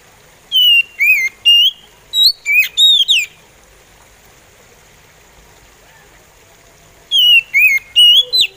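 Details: An oriental magpie robin, or kacer, sings slowly. Bright whistled notes come in two bursts of about six to eight, dipping and rising, with a several-second silent pause between the bursts.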